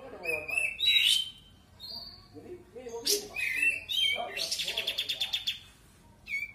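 A sooty-headed bulbul sings a busy run of bright whistles and chirps, then a quick burst of about ten rapid, even notes, with no other sounds.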